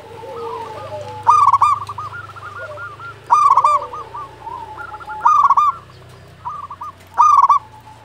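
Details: Champion local zebra dove calling as a lure for other doves; loud stuttered coo phrases about every two seconds, with softer linking coos and a low continuous drone underneath.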